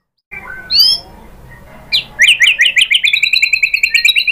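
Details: White-rumped shama (murai batu) song used as a lure to make other shamas answer and sing: a few sweeping upslurred whistles, then a fast, even series of repeated chirping notes, about five per second.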